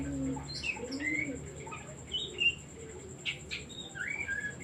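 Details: Oriental magpie-robin singing, used as a decoy to provoke other birds into song: scattered short clear whistles and rising notes with pauses between phrases, a soft cooing dove at the start and a steady high electronic tone.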